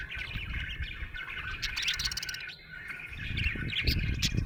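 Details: Happy budgerigar chirping: a steady warbling chatter of quick chirps and buzzy notes around mid-high pitch, with brief louder squeaky bursts and a short pause near the middle; low rumbling background noise throughout.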